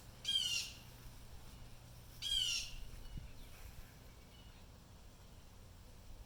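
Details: Agitated blue jays outdoors, alarmed by something disturbing them, let out two rasping screeching calls about two seconds apart, then quiet outdoor air.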